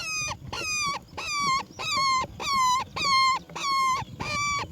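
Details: Baby roller begging while being fed black crickets by its mother: eight loud, regular, nasal harmonic calls, each about 0.4 seconds and slightly falling at the end, repeated roughly every 0.6 seconds.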